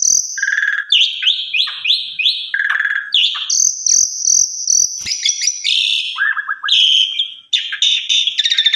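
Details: Asian pied starling (jalak suren) song intended to teach other starlings: strings of repeated rising chips, long high whistles, a low rapid trill and harsh buzzes, faint low clicks in the background.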